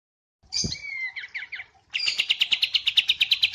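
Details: High white-eye song in a cage-bird training recording: a thin whistled phrase with a few chirps, a short pause, then a rapid, even trill of bright notes, about five per second.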